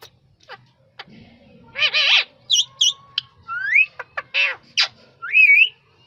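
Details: Rapid jumble of sounds from a rose-ringed parakeet: clicks, broad harsh squawks, short double chirps and rising whistled slurs packed into a few seconds.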